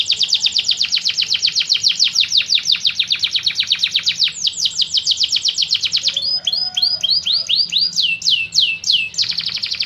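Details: Singing canary delivers long rolling trills of rapid high downward sweeps, shifting between tours of different speed and pitch, then a slower series of looping whistled notes before a quick trill returns; a faint low hum underneath.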